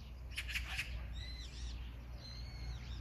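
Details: Short harsh rattle of three rough, broadband magpie notes, then clear thin whistles from another bird rising and falling, with low background rumble throughout.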